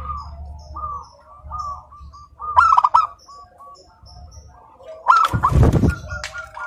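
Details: Local zebra dove singing continuously in a clear crystal voice: short repeated notes roughly four per second, then a loud harsh burst; a deep rumbling noise sounds near the end.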